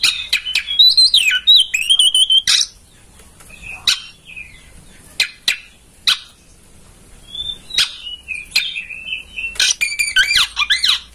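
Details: Oriental magpie-robin song used as a master recording to get a bird singing with tail open: a rich whistled phrase, then scattered short sharp notes and a drawn whistle, ending in a busy burst.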